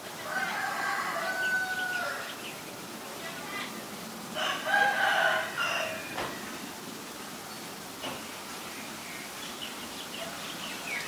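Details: Recorded in Ubon Ratchathani, Thailand, on 9 March 2022, a white-vented myna gives a rasping, nasal call lasting about two seconds. After a pause a louder, longer grating burst follows, then scattered short notes over a steady background hiss.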